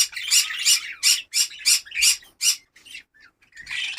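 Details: Budgerigar breeding colony in Darbhanga, Bihar: a run of six or seven loud, rasping squawks at about three per second, a short pause, then another burst of harsh chatter.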